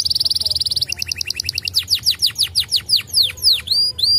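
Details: Canary song meant to get other canaries answering: a rapid high trill slows into evenly spaced chips, then into clear downward-sweeping whistles about three per second, ending on pure rising notes.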